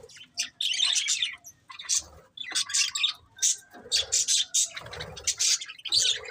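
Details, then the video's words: Pet budgerigars, a breeding pair, giving sparse sharp chirps then faster squeaky chatter, separate notes spaced unevenly, some soft low thumps. "Cute Budgies Chirping Sounds | Love Birds Breeding Pair"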